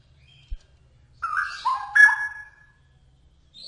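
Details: Cucak rowo, or straw-headed bulbul, giving a short, loud warbled phrase of liquid whistles that slur downward and then lift again. A soft thump comes just before it over a quiet low hum.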